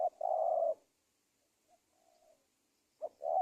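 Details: Spotted dove cooing played to lure wild doves for trapping: one long husky low coo, a faint softer coo after a pause, then a new phrase beginning with a short note and a second coo.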